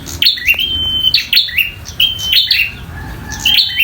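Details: Bar-winged prinia giving its fighting song: four clear phrases, each a sharp chirp sliding into a piercing level whistle, spaced about a second apart.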